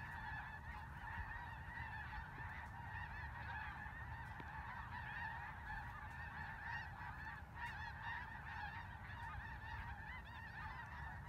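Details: Many snow geese calling in Vigo County, a thick unbroken chorus of yelping honks from countless birds, some sharper individual notes standing out above steady low-pitched background noise.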